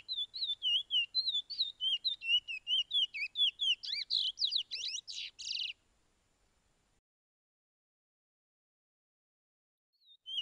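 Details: 'Pije pije' song of the chestnut-bellied seed finch from Suriname, used to train caged birds: quick repeated whistled notes building into a rapid flourish of steep sweeping trills, then silence and one final faint note.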